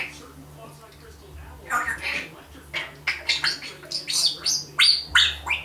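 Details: A one-year-old female African grey parrot kept as a pet blabbers in imitated human phrases; a run of short, chattering bursts with raspy, speech-like syllables and a few sharp high notes, over a steady low hum.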